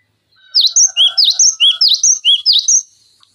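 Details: Cinereous tit tutor song for songbird training: a loud, quick series of sharp, high, V-shaped chirps paired with lower notes, about ten in just over two seconds, over a faint low hum.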